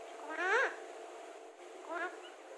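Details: Alexandrine parakeet speaking two speech-like harmonic phrases, the first louder and wavering, the second softer, with a faint steady hum throughout.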